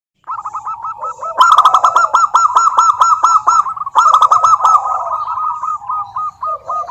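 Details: Local wild zebra dove song used as a lure to prompt lazy doves to sing: long runs of quick, evenly spaced cooing notes, briefly overlapped by a denser burst of louder clipped notes partway through.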